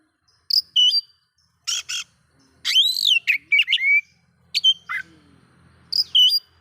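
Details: Oriental magpie-robin vocalizing to provoke other magpie-robins, mixing harsh squawk-like bursts with arched whistles and short sharp notes, over a faint low hum.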